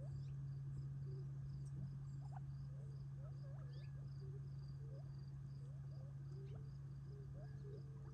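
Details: Gambel's quail feeding in a group near Tularosa Creek in July 2021 before nightfall retreat; many small soft chipping and upturned notes at an uneven pace, under a steady electrical-like hum and regular high insect pulses.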